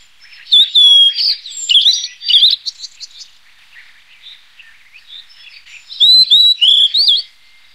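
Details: Blue-and-white flycatcher singing two bursts of quick, twisting whistled notes, some sharply upslurred, separated by a softer scratchy stretch; the second burst ends in a few emphatic looping whistles.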